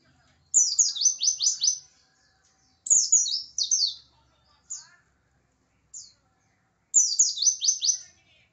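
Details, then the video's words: Pacitan oriental white-eye delivering provocative song aimed at rival birds: three bursts of fast, high, downslurred notes, each about a second long, with two short isolated chirps in between. "PLECI PACITAN SUARANYA BIKIN EMOSI LAWAN"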